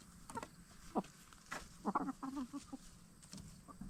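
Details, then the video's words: Backyard free-range hens, Black Star and Bielefelder, settling in for the night in their movable chicken tractor; soft low clucks come in short bursts, several quick notes in a row, with some rustling in the background. "Relaxing Hen Sounds - Chickens In Chicken Tractor"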